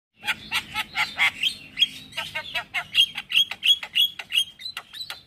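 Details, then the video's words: Male Javan myna singing in the morning, a recording used to lure and tutor other starlings: rapid harsh chattering notes about three per second, mixed with short bright whistles near the end. "Ocehan jalak Kebo Jantan Buat Pancingan Dan Masteran Burung Jalak Dipagi Hari"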